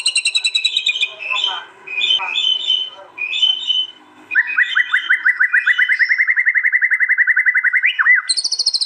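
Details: White-rumped shama (murai batu) in East Java, recorded on a Realme C11 phone at a song contest and giving a fierce 'tembakan' burst. Varied whistled phrases lead into a long, fast series of rising notes, about three per second, then high trills.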